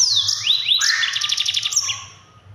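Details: Yellow-fronted canary singing loudly in a fast 'ngerol' training song: swooping whistled slurs lead into a rapid rattling trill of about ten even pulses that fades out, with a faint low hum beneath.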